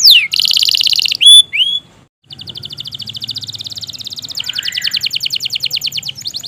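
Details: Long-singing canary, recorded as a stimulus for canaries that are slow to sing: brief high whistles and a buzzy burst, a short pause, then a long, fast, dry trill that grows louder toward the end.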